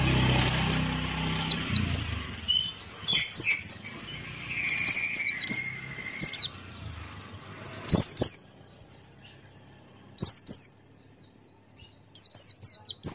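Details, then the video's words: Lively song from a Buxtoni white-eye: high, thin downslurred chirps in twos and threes, spaced a second or so apart, with a low background rumble early on that fades to quiet. "Masteran Pleci Buxtoni Ngalas Buka Paruh"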